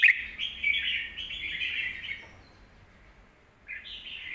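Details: Red-whiskered bulbul, kept in a cage, sings a strong, full song meant to teach young birds. One long, smooth warbling phrase lasts about two seconds, followed by quiet and a short rising phrase at the end.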